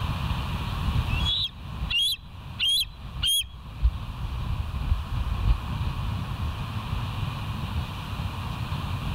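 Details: Bald eagle at the West End nest on a live wildlife camera, 28 September 2023 near 07:04; four high, slightly wavering piping calls spaced about half a second apart, over steady low-pitched background rumble that continues after.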